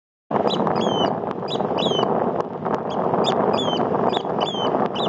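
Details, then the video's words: Eurasian oystercatcher in Iceland giving loud, shrill piping 'kleep' notes, repeated quickly, about two each second, over steady roaring wind or surf. "Eurasian oystercatcher voice."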